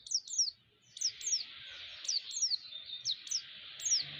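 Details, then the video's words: White-eye lure calls to provoke rival white-eyes: clear, piercing downslurred chirps, mostly in pairs, repeated every half second or so, with faint high hiss between notes. "pancingan burung pleci sekaligus menaikan emosi pleci"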